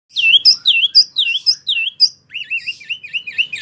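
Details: Wambie mini singing vigorously, kept for tutoring competition songbirds: a run of loud, high, swooping whistled notes, then a quicker string of rippling, wavering chirps.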